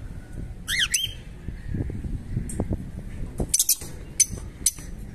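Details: Pet Fischer's lovebirds calling: a harsh, harmonic squawk with a quick pitch dip near the start, followed by several short, bright high chirps and squeaks later, over low rumbling background noise.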